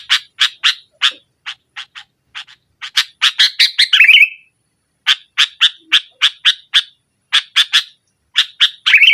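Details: Sooty-headed bulbul in forceful nggaruda-style singing aimed at a reluctant bulbul: long runs of rapid, evenly spaced harsh chips that build into a short rolling warble, then the chip series starts again.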